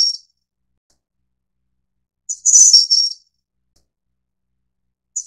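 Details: One complete piping-and-jingling phrase from a Snowy-browed flycatcher (Taiwan endemic subspecies innexa), very high and thin, with fragments of neighbouring phrases at the start and end. The background is quiet.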